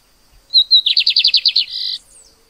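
A lined seedeater sings a bright, high phrase: a sweet opening note, a fast run of about ten buzzy repeated chirps, then a trilled ending.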